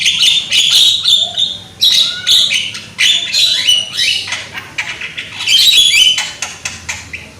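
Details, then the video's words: Javan myna, young and loud, heard in a lure recording meant to trigger singing: a rapid, almost continuous chatter of harsh squawks, clicks and short whistles, busy and irregular throughout. "PANCINGAN BURUNG JALAK KEBO AGAR GACOR !!! JALAK KEBO MUDA SUARA KERAS !!"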